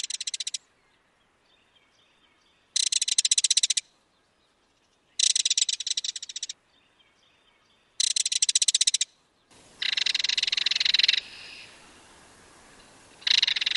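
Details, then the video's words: Belted kingfisher in Wisconsin giving its loud rattling call: dry, harsh, clattering rattles about one second long, repeated every two to three seconds, the last ones over a hiss of background noise. "Bird Sounds - Belted Kingfisher"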